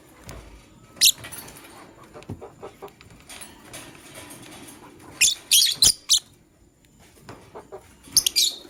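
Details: Morning chirping of a male lovebird choosing a partner: a lone piercing squeak, then a scatter of soft ticks, then a quick run of four shrill, scratchy chirps, and one more burst at the end.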